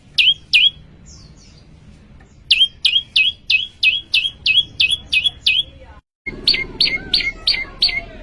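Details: Prinia in full song: loud, sharp descending chirps in rapid bursts, a pause, then a long regular run. A brief cut is followed by more chirps over a buzzy background.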